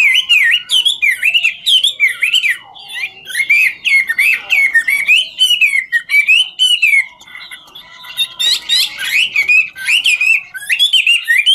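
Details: Chinese hwamei in 'ngũ trường' song style, singing as it dances: long continuous flow of looping, warbled whistles rising and falling, broken by bursts of rough, buzzy chatter, loud and close throughout.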